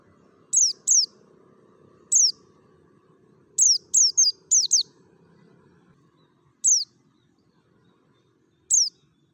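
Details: Mountain white-eye of the Merapi type, in wild forest-style voice used as a lure so kept white-eyes sing along; about ten sharp, high, downward-sliding whistled chips, some in quick clusters, with long gaps and a faint low hum.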